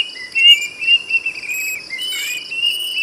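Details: Plaintive cuckoo giving a brief burst of its loud whistled song, a few sliding notes and a falling phrase, against continuous high insect-like buzzing.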